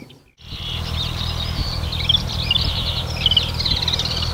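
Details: Marsh warbler singing a fast, jumbled warble of scratchy and whistled notes, said to include imitations of other birds, over a constant low engine-like hum.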